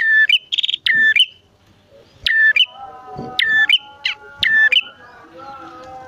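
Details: Bar-winged prinias, male and female, used to lure prinias into song: a few buzzy trill-and-whistle phrases, with steady tonal humming lines underneath in the second half.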